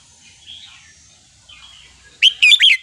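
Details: Red-whiskered bulbul delivering one phrase of its wild-style, counted-phrase song: three loud, rapid whistled notes with a lilting fall, after soft distant chirps.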